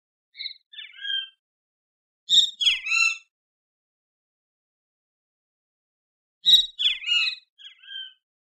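Great kiskadee giving loud, harsh three-part phrases, a bright note then a sliding, buzzy drop, repeated twice with a pause between. No other sounds.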